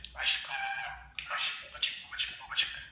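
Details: Caged pet budgerigar imitating Turkish speech; a longer buzzy, nasal-sounding phrase followed by three short sharp syllables, all high-pitched and raspy.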